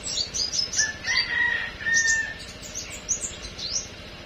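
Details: Flowerpecker singing in the morning: a rapid run of thin, high chirps and short sliding notes, with a few steadier mid-pitched whistles and light background noise.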